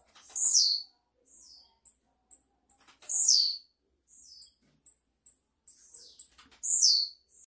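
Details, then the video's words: Blue-black grassquit repeating its song: a piercing buzzy note sliding steeply downward, given three times about every three seconds, with short clipped high notes in between. "TIZIU CAMPAINHA??? CANTA MUITO"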